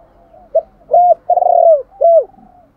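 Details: A spotted dove used as a lure for other doves gives a brief opening note, a short coo, a long wavering coo and a final arched falling note, clear and mid-pitched.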